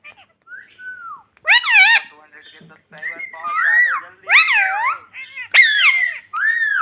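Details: Pet parrot talking, said to repeat "mummy": loud, high, nasal harmonic syllables rising and falling, several in a row, between softer human speech in Hindi coaxing it to eat.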